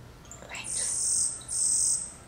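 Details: Yellow-browed Sparrow (Ammodramus aurifrons) in a home garden: a brief rising lead-in note, then two very high, dry, insect-like buzzes, each about half a second long.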